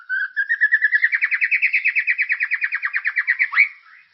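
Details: White-rumped shama lure song for caged birds, lively and characterful: a fast even trill of rapidly repeated notes, slightly rising in pitch over about three seconds, closed by a sharp upswept whistle.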